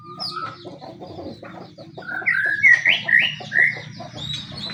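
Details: White-rumped shama, a pastol murai in fighting mode, used as a bait song to make other shamas sing; loud rich whistled phrases and slurred notes after a softer, scratchy start, over a low background rumble.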